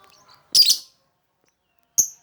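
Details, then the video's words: Lovebird sound used for luring other lovebirds, described as melodious: one harsh, shrill double chirp, then a short sharp high tweet after a pause of about one and a half seconds. "Mancing suara burung lovebird yang merdu"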